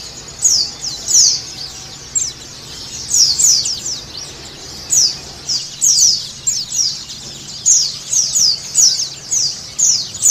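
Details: White-eye (pleci) stimulation song for a caged bird: thin, high chirps sliding downward, clustered into lively phrases with short gaps, over a low steady hiss.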